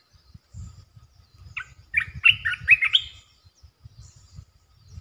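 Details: Red-eyed bulbul, a resident territory holder, calling in the wild: a short burst of bubbly, warbled notes around the middle, rising and dipping in quick succession, over a low rumbling background.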